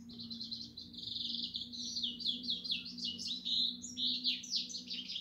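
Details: Continuous twittering from a European goldfinch, made of quick, high, liquid chirps and buzzy notes strung together with hardly a break, over a constant faint low hum.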